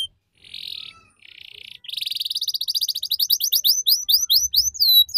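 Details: Tutor song for young canaries, ngeriwik style: two short buzzy rattles, then a long series of sharp chipping notes that grows louder and turns into swooping whistles.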